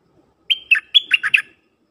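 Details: Decoy dok taeng bird singing to call wild birds: a single crisp phrase of six rapid whistled notes, the first held briefly and the rest tumbling downward, in a quiet setting.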